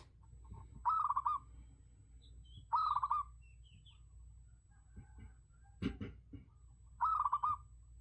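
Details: A zebra dove, apparently a decoy bird used for luring, gives three bursts of rapid, stuttering, soft cooing, each about half a second long, a few seconds apart, with a brief knock between them.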